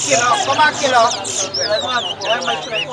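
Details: Large-billed seed-finch (towa towa) singing in a bird singing competition at Lusignan, Guyana. In the second half, clear whistled notes sweep up and down in quick succession beneath a loud crowd of men talking.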